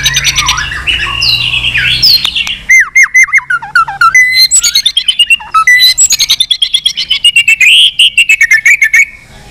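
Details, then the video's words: Fighting song of a white-rumped shama, flicking its tail: buzzy opening phrases, then long series of sharp, rapidly repeated whistled notes and clicks sweeping upward in pitch. "chòe lửa hót nhiều giọng kích bổi hót đấu"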